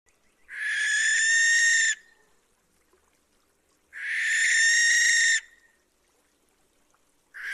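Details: Barn owl screeching at night: two long harsh, hissing screeches of about one and a half seconds each, separated by a two-second gap, a third beginning at the end; no other sounds.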